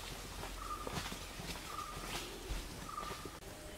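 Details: At Thattekad, Kerala, India, a Sri Lanka Bay Owl (Phodilus assimilis) gives three soft, mid-pitched whistles about a second apart, over a steady hiss of forest background and faint rustling.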